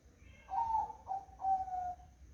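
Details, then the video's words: Zebra dove song on a foggy morning, a three-note cooing phrase: a clear opening coo, a short middle note, then a longer falling coo, all smooth and mellow over a quiet background. "Suara Burung Perkutut di Pagi Hari Berkabut"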